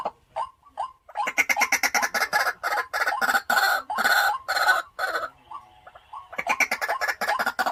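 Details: White-breasted waterhen, a caged decoy bird, gives a few scattered notes, then a loud run of rasping croaks at about two per second. A pause follows before the harsh series starts again.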